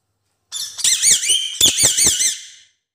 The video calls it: Parrot talking in mobile